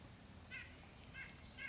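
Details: A White-breasted Nuthatch, one of several calling, high at the top of a tree early in the morning in summer at Great Dismal Swamp National Wildlife Refuge, gives three short, nasal, harmonic 'yank' notes over a low rumble, apparently upset about something.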